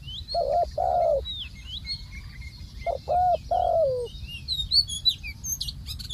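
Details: Spotted dove used as a ground decoy, calling in a hunt: hoarse, slightly descending coos in a short pair, then a triple about two seconds later. High chirping from small birds and a steady low rumble continue underneath.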